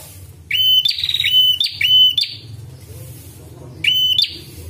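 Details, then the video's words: Prinia, described as red-headed, recorded for training caged birds and luring wild ones: three loud, sharp whistled notes, each rising then leveling with a harsh, ringing overtone, spaced irregularly over a steady low hum. "MASTERAN DAN PIKAT BURUNG PRENJAK"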